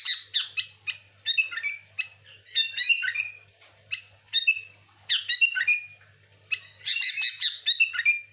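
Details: Noisy sooty-headed bulbul chatter for luring other bulbuls: harsh squawks and bubbling whistled notes in irregular bursts, with short gaps between groups and a faint hum below.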